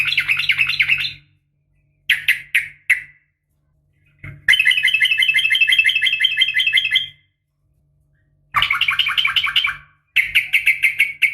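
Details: Female sooty-headed bulbul calling a male in the fast, fighting garuda style: bursts of harsh, rapid, buzzy chatter, one long rattling run of about three seconds, separated by silent gaps, with a faint low hum underneath.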